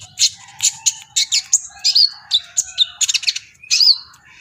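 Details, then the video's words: Brown-throated sunbird (kolibri ninja) singing energetically while excited: quick bright chips mixed with thin twisting whistles that rise then fall, roughly two to three notes per second, clean and uninterrupted. "BURUNG KOLIBRI NINJA GACOR EMOSI || NGOBRA TELER"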